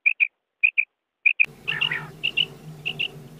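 Common quail, female, giving short high paired notes, repeated in quick twos about every half second; a low hum and noise rise after the first second and a half.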